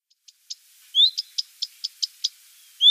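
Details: Common redstart contact call: a quick upward-slurred whistled 'hweet' ('fuid'), then a quick run of six dry ticking 'teck' notes, then another rising whistle.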